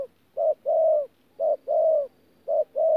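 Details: Spotted dove, a wild-caught adult, cooing in thổ style blended with gù, Tu Mơ Rông, Vietnam, 14 January 2019: three low hooting couplets, each a brief clipped note followed by a drawn-out throaty coo with a faint upward tail.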